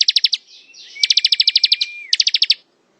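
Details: Ngebren-style song of a bar-winged prinia: a short run of sharp ticks, then a long rapid series of about fifteen high pulses over a flat held whistle, ending in another quick burst.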